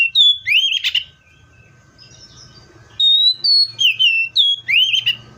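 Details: Loud whistled song of a Seychelles magpie-robin: a rich sweeping phrase, a two-second gap, then a run of five or six clear downslurred whistles, with low background hum.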